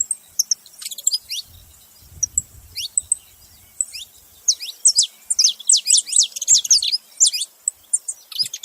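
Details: Saffron finch giving scattered thin chirps that swell into a rapid, dense stream of bright sweeping notes in the latter half.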